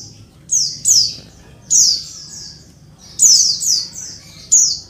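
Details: Female Oriental white-eye calling to males, used to provoke quiet males into calling: high, thin descending chirps near the top of hearing, given in short clusters of two or three with pauses between.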